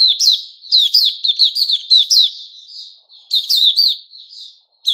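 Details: Bright white-rumped shama song recorded 29 August 2021: tumbling strings of sharp whistles and slurred notes, a softer trailing warble, then a fresh loud phrase.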